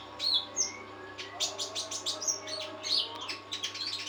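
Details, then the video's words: Trotol singing steadily, kept and fed on homemade nectar: high, thin whistled notes and quick chirps scattered irregularly, over a low steady hum and a faint human voice. "Trotol gacor"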